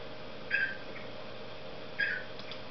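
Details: Cockatiel, a pet parrot, singing: two short bright chirps about a second and a half apart over a steady low indoor hum.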